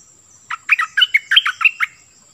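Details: Cream-vented bulbul decoy in vigorous song, delivering a rapid chain of about nine warbled, chirping notes that bounce between pitches over roughly one and a half seconds, with quiet before and after.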